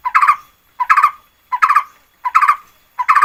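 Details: Lure song of a red-whiskered bulbul, recorded 2024: five crisp, chirpy warbled bursts, each a quick run of bubbling notes ending in a slight trill, spaced evenly and separated by silence.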